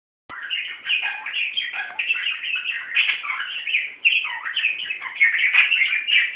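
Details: Several pet budgerigars playing wildly together, giving continuous busy warbling chatter of scratchy chirps and squeaky notes, dense and overlapping throughout.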